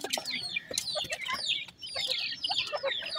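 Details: High, thin, falling whistled peeps from grey francolin (teetar) chicks, repeated in loose clusters over faint clicking sounds.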